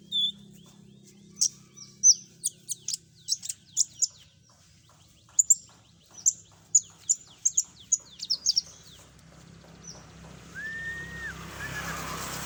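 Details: Full "isian" common iora lure song: a run of bright, high, clipped chirps and brief whistles at irregular spacing for about nine seconds, then a single low drawn whistle and rising hissing noise.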